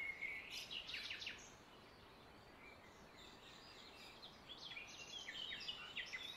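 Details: Wild Indian ringneck parakeets in nature: a burst of shrill, rapidly repeated screeching notes early on, then scattered fainter chattering calls over steady environmental background noise.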